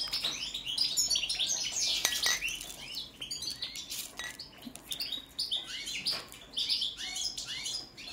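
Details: ['European goldfinch of the subspecies balcanica, recorded for a song check: rapid tinkling twitters and buzzy slurred notes between 2 and 8k range, with a few sharp clicks and a quieter stretch midway.']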